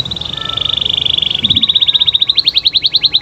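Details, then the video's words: Canary delivering a steady rolling trill meant to coax other canaries into answering, a rapid pulsed tone that slows slightly and becomes louder, more separated notes over three seconds. "Suara Kenari Gacor Bikin Kenari Lain Terpancing Untuk Nyaut"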